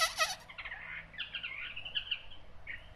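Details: Hwamei giving a brief burst of song: a harsh rasping note followed by short warbled and whistled phrases, with a soft low background hum.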